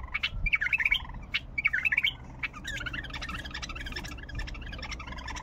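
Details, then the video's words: Bulbul song with a varied repertoire. Two quick, bubbling whistled phrases of rapid rising and falling notes are followed by dense twittering that runs on steadily to the end. "تغريد بلبل طور حنجره ولغات روعه"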